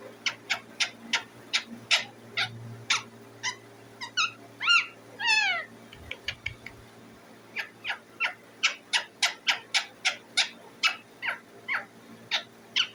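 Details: Pet Indian ringneck parakeet chirping loudly: rapid series of short, sharp, high chirps repeated about twice a second, broken midway by a few rising, wavering whistled calls, then the quick chirping resumes.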